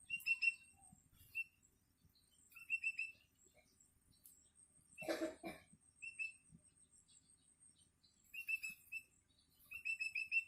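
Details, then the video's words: A hungry long-tailed shrike chick calls for its parent while still learning to sing. It gives clusters of short, harsh, buzzy notes in bursts every second or two in a quiet room, and a human cough breaks in midway. "Suara anakan cendet"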